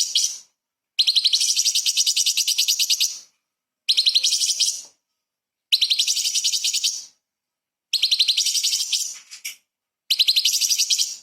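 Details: Light-vented bulbul in full, energetic song with small-bird fill phrases used as tutor material for magpie-robins and shamas: dense high trilled bursts of rapid chirps, each lasting one to two seconds, separated by short silences.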